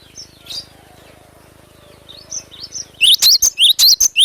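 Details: Glatik batu (cinereous tit) in vigorous song: soft faint chirps at first, then a sudden loud series of shrill, high, upslurred notes repeated rapidly to the end.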